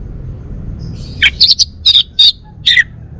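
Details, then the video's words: Male Bali orange-headed thrush kept at home gives a short burst of six clipped, harsh chirping notes in little more than a second and a half, with steady low hum beneath. "Kicau Burung ANIS MERAH Bali Jantan"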